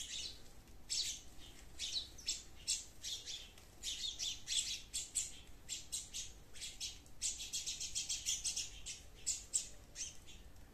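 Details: Sparrows in a garden chirp in a busy, overlapping chatter of short, harsh, bright notes, coming in quick bursts with barely a pause, over a faint background hiss.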